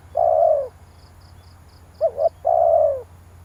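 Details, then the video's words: Spotted dove coo used as a lure for a decoy bird: a long, smooth falling coo, a pause, then a quick wavering double note leading into another long falling coo. A rhythmic high chirping is faint behind it. "tiếng chim cu gáy kích bổi hay"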